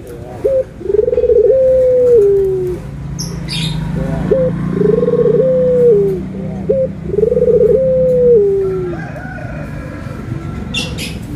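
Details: Barbary dove (puter), white and brown birds compared for their anggungan coo: three long cooing phrases, each opening with a short note, then a rolling, trilled coo that holds steady and slides down at the end, with faint chirps and rustling.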